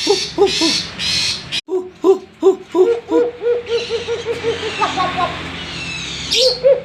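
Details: Tame Papuan butcherbird singing actively: a run of low, mellow fluted hoots, each note briefly rising and falling, delivered quickly in a rhythmic series, with a short break partway and a brighter higher note near the end.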